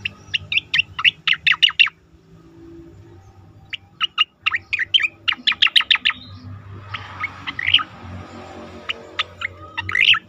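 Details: Asian pied starling singing, recorded for training competition birds: rapid bursts of loud, sharp chirping notes in quick series, a pause, another fast run, then scattered warbled whistles over faint low background hum.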